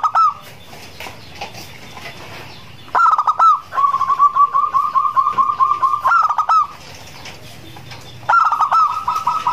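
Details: A champion zebra dove, its song used as a lure, sings soft, mid-pitched coos that break into a quick staccato run of rolling notes, then end in drawn-out coos; faint high chirps sound behind.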